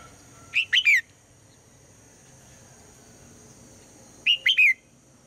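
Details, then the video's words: A female red-whiskered bulbul calls in the morning to draw song from the male: two crisp bursts of three rapid whistled notes, the final one dropping in pitch, roughly four seconds apart. "นกหัวจุก birds - นกตัวเมียร้องตอนเช้าเพื่อเรียกนกตัวผู้ให้ร้องเสียงดังฟังชัด"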